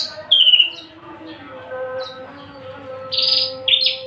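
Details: Caged, tame but feisty unringed Javan bush lark, described as a singing-ready young male, gives a short burst of high, buzzy notes, then a quiet gap and a louder cluster of harsh chirps near the end over a steady low hum.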